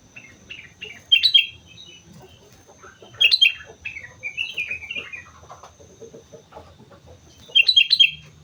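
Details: Sooty-headed bulbul singing vigorously on Mount Slamet: bright, bubbling whistled phrases in three loud bursts near the start, middle and end, with softer chirps between and a steady high thin tone throughout.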